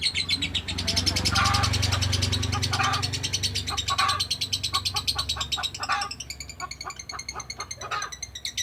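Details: Lovebird giving a long-duration ngekek: a dense, rapid run of harsh, buzzy chattering notes that pours on without a break, with some short pauses and bursts, over a steady low hum.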